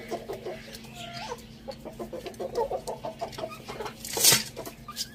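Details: Rooster and hen eating spinach on a village farm, giving a rapid run of soft, short clucks and pecking notes, with one sharper, louder note near the end.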